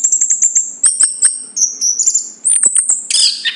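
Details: Chestnut-capped thrush giving thin, very high drawn-out whistles in steps, broken by short ticking notes, then a louder burst of mixed whistles at the end; a low hum runs beneath.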